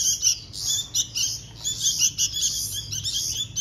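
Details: Bulbul chicks being hand-fed, giving harsh, hissy high-pitched begging calls in rapid bursts, several overlapping, pulsing roughly every half second.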